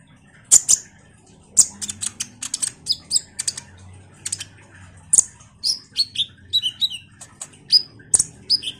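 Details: Common iora singing steadily and chattily, played to draw a response from sunbirds: a rapid run of sharp, high chips and short whistled notes with faint low hum beneath.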